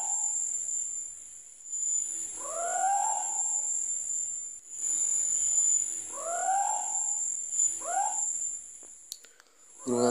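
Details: Javan scops owl, a very small owl, calling at night: drawn-out, mewing notes that rise then fall, about four calls over ten seconds, over a steady high insect hum.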